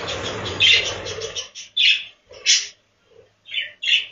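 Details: Budgerigars inside a budgie farm breeding room: a brief chattering stretch, then separate loud, clear chirps about every half second, with near silence between them.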